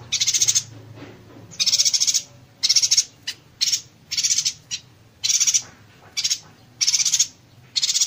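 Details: 'Konslet tembakan rapat' yuhina song, recorded as a tutor for other songbirds: about ten high, rattling bursts of quick pulses, some long, some clipped short, coming irregularly over eight seconds against a quiet background.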